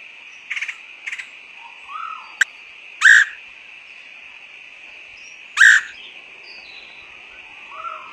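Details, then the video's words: Woodpecker call for luring: a few quick clipped note pairs, then two loud ringing whistled notes about two and a half seconds apart, with soft chirps and a steady high tone behind. "PIKAT BURUNG PELATUK SUARA PANCINGAN"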